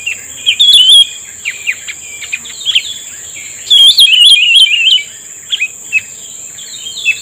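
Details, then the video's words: A cucak rumbai tungging answers a trapper's lure with loud, warbling whistled phrases, the first short and the second a longer, rolling run. Faint chirps sit between them and a steady high electronic hum runs throughout. "pikat burung cucak rumbai tungging udah mengeluarkan rayuan mautnya"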